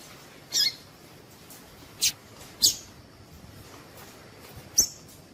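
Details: Call of a female Double-collared seedeater, used to excite males into song: four thin, high-pitched chips spaced irregularly, one to two seconds apart, against low steady hiss.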